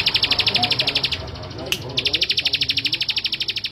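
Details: Singing male bar-winged prinia delivers rapid, regular high chipping notes, breaks off for under a second around a single click, then resumes the same quick metallic series to the end.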